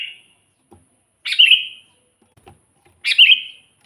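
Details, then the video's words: Sooty-headed bulbul calling, used to lure wild bulbuls and train quiet birds; two clear, bright chirped phrases with a slight downward slur, spaced under two seconds apart. "suara burung kutilang gacor full buat pancingan kutilang pikat"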